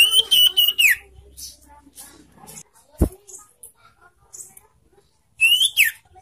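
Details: A young sirtu, used as a lure to get other sirtu singing, gives a short burst of clear, high whistled notes, a few quiet chips, then a second rising whistled phrase. There is one sharp knock midway.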